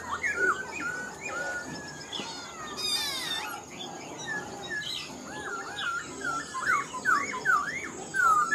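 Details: Caged Black-throated laughingthrush, caught wild as an adult and singing well, with varied whistles and quick chattering notes at first, then a lively sequence of looping, rising-and-falling whistled phrases near the end.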